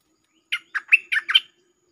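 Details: Bulbul lure recording in the 'Chao Bank' song style with doubled notes. Five to six rich, liquid, warbling notes follow in a brisk sequence of about one second, with a faint low hum behind them.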